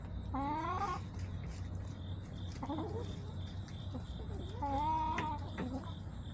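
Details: Hens in a backyard flock, September 21, 2024, giving three separate nasal, harmonic calls, each about half a second long and spaced a couple of seconds apart, against a steady droning hum.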